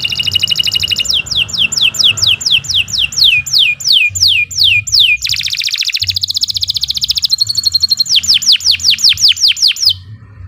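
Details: Caged canary singing a long, energetic song used as a master recording for training caged birds: fast series of high downward-sweeping notes repeated in trills, broken by a buzzy rolled passage, with a low hum underneath.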